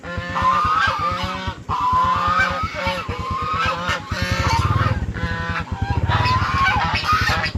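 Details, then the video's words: Frightened goose screaming: harsh, nasal honks in quick irregular bursts, some rising and falling, over a steady low rhythmic pulsing throb that swells midway through. "Bunyi angsa menjerit ketakutan"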